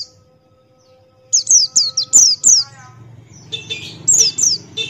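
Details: Buxtoni white-eye in ngalas, open-beak song: after a near-silent start, a rapid run of piercing high notes, each sliding steeply downward, pauses briefly, then resumes with more downslurred whistles over faint low hum.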